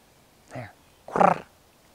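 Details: A Red-bellied Woodpecker in southern Maine gives its most common call, one harsh, rolling churr lasting under half a second, after a fainter, lower sound.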